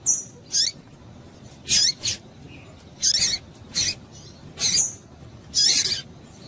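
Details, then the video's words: A female double-collared seedeater calls to arouse males. About eight sharp, high chips, some paired, come in a loose rhythm roughly every half second to second. "fêmea de coleiro quente para esquentar coleiro"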